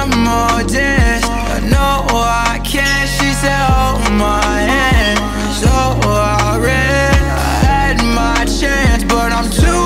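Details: Rhythmic pop or R&B style music with a steady beat, deep bass notes and layered instruments and vocals throughout, with no animal sound audible.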